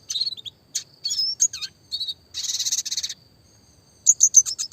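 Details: Classic red siskin singing clearly for songbird training, mixing whistled slurs, a rattling buzzy trill of about a second, and a final run of quick high chirps.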